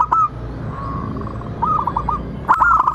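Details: Local zebra dove song used as a lure to make other birds sing and answer: short bursts of quick, hooked cooing notes, a brief faint phrase early on, with sharp clicks and a low background hum.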